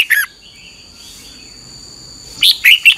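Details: A red-whiskered bulbul's 2021 morning training song: a brief chirp opens, then quiet with a soft hum, and a quick phrase of three or four loud, bright falling notes closes.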